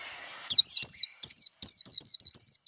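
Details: Japanese white-eye singing in song training: after a half-second of faint hiss, a run of loud, high, slurred whistled notes, each dipping then levelling, repeated about every quarter second.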